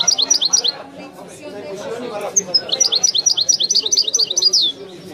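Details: Authentic Wedani song of a European goldfinch: quick high twittering runs, a short gap of low background chatter, then a longer, tightly repeated series of rising chirps ending in a descending slur.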